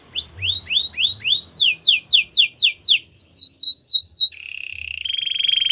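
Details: Gloster canary song made of rapid repeated falling whistled sweeps in several tours, each faster and higher, ending in a long steady buzzy trill.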